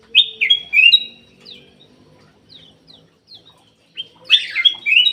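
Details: Lure song of a black-capped bulbul meant to spur lazy caged birds into song: loud liquid whistled phrases open and close, with thin short chirps spaced through the quieter middle.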